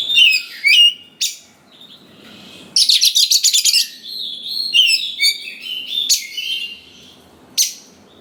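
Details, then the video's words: Sharp whistled notes and slurred phrases of a white-rumped shama, followed by a long burst of rapid buzzy rattling and more sweet warbled whistles, a lure song to make young forest shamas answer. "Pancingan Suara Dasar Kacer Gacor Cocok Sekali Untuk Pendongkrak Emosi Kacer Muda Hutan Agar Nyaut"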